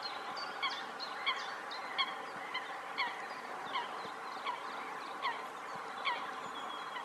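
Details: Spotted crake giving its advertising call: a sharp, whiplike rising 'whitt' repeated steadily about every two-thirds of a second, over a constant background hiss.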